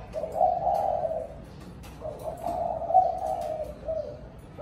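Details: Spotted dove calling its flock at evening, giving deep drawn-out coos in long phrases with short breaks between them, over a steady low background rumble.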